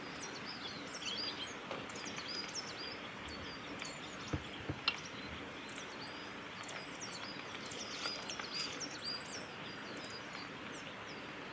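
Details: Coal tit on the Hayatogawa forest road at Lake Miyagase, Japan, 4 March 2018, giving thin, very high-pitched notes in quick little clusters, repeated throughout over a steady hiss of stream or wind.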